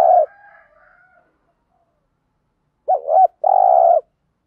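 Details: ["Spotted dove 'thúc gù' coo used to provoke wild birds into singing. The tail of one coo and faint higher notes, then a full phrase: a wavering double note followed by a long steady throbbing coo."]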